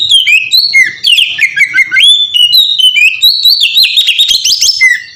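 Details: Oriental magpie-robin in ngeplong song, played to lure other birds into singing: an unbroken flow of loud, pure whistles dipping and rising, busier and higher toward the end.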